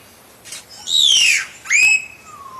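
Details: Common hill myna calling: a loud descending whistle, then a short rising-then-level whistled note, ending in a faint low downslurred whistle.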